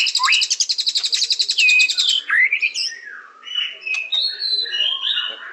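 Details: Song of a white-rumped shama, opening with an upslurred whistle and a long high rattling trill, then a pure steady whistle, followed by varied warbled phrases and scratchy notes.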